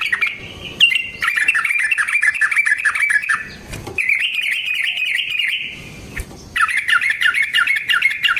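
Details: Fighting-style Yellow-vented bulbul song for luring: dense, continuous chattering warble in long runs, wavering up and down, broken by short pauses and a thud.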